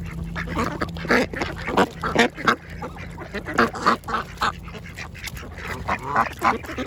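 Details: A variety of ducks enjoying lunch at a pond, loud rapid quacks repeating several times a second in irregular bursts, with a low constant hum underneath.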